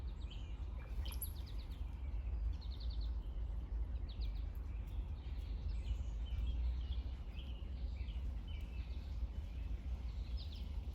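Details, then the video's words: Gurgling, bubbly notes of brown-headed cowbirds, compared to water dripping: several short liquid clusters spread through the recording with a sharp high whistle early on, all over a constant low outdoor rumble. "Brown-headed cowbirds make such weird noises"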